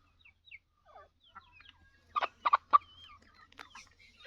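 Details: Sheedi kala teetar, the black francolin, delivers three rapid harsh rasping notes in quick succession midway, preceded and followed by soft scattered chirps and twittering of small birds in a quiet setting.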